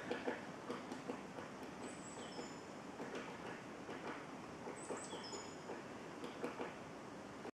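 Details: A great spotted woodpecker in a forest, pecking apart pine cones, taps in loud, irregular, sharp knocks a second or so apart over a steady woodland hiss, with a small bird's thin, high falling notes twice.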